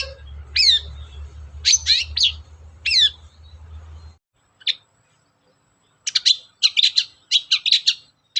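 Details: Long-tailed shrike in lively song, used as a lure to prompt other shrikes to sing: sharp, bright chirps in short bursts over a low steady hum, a brief pause, then a fast run of chattering notes.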